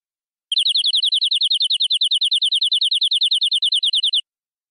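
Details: Local wild-forest canary in full isian cengkok song: a clean, fast, high rattling trill of evenly repeated notes, about four seconds long.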